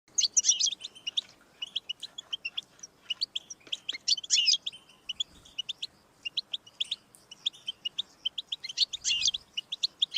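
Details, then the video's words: European goldfinch song played to stimulate a pet goldfinch to sing: rapid tinkling twitters and short high notes in dense bursts, with brief buzzy trills, near-continuous through the stretch. "Audiorecordings of the goldfinch to stimulate birdsongs"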